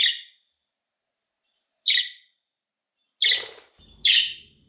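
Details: Budgerigar contact calls meant to lure a runaway bird home: four harsh chirps, the last two closer together, one rougher and noisier, with a brief low rumble near the end.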